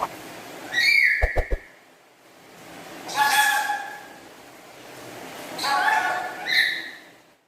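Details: Black-capped lory kept at home, chattering: a rising nasal squawk, a few sharp clicks or taps, then three more harsh, rasping calls spaced a couple of seconds apart.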